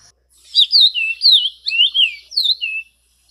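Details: Orange-crowned oriole singing a fluent run of clear whistled notes, each sliding down or curling up and down, delivered in quick succession over about two and a half seconds, with no other sounds.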